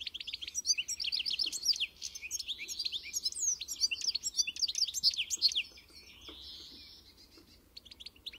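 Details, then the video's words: Song of a European goldfinch, probably a caged bird: quick bursts of bright chirps and twitters, a buzzy nasal slur near the middle, then fading to softer scattered notes toward the end. "melher canto do Pintassilgo encarte"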